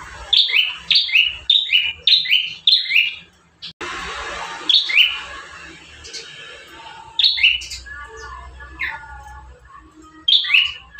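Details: Bar-winged prinia, one of five song variations for training caged birds, delivers fast trains of high two-part notes, a sharp whistle dropping to a buzz, interrupted by a burst of broad hiss, then more scattered phrases.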